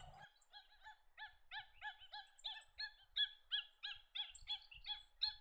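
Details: Australasian shoveler giving a steady series of short, nasal, buzzy notes, roughly three per second, slightly rising and falling, in a quiet setting with faint low rumble.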